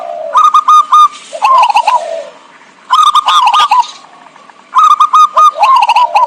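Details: Zebra dove calling as a lure for trapping: three loud phrases roughly two seconds apart, each a run of quick staccato notes that slides into a lower, rolling coo.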